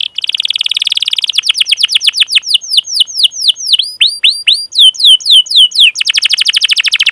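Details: Canary song for training young canaries: an opening rapid rolling trill, then a series of loud downward-curving chirps, ending in another fast trill.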